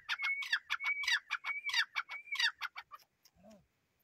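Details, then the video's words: Grey francolin giving a rapid run of rasping, broadband notes for nearly three seconds over a faint steady whistle. The notes fade out, followed by a brief low sound. "Jangli Teetar ki Best Voice"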